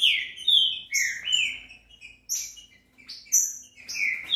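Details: Green-winged saltator; song; played to stimulate a captive bird to sing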